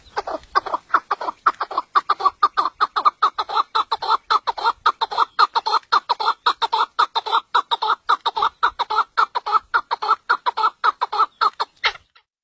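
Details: Chukar partridge, described as a mountain bird and Pakistan's national bird, delivering a long steady run of rapid clucking chuk notes, about two per second, evenly repeated for twelve seconds before stopping abruptly.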